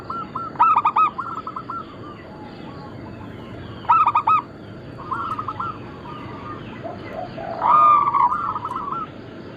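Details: Two loud bursts of rapid stacked coos from local Bangkok-cross zebra doves, about three seconds apart, in lure and tutor material, amid softer overlapping cooing and a longer slurred phrase near eight seconds.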